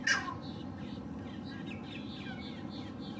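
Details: Perched male green heron gives a single short, harsh, loud call right at the start, followed by soft twittering of other birds over a constant low background hum; captured with a Lumix GH6 camera and 300 mm lens.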